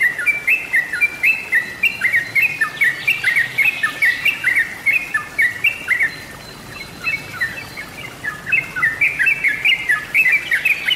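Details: Yellow-vented bulbul (trucukan) recording used as a master or lure for kept birds: bubbly, chattering phrases of mid-pitched liquid notes, about four a second, overlapping as if several birds sing together.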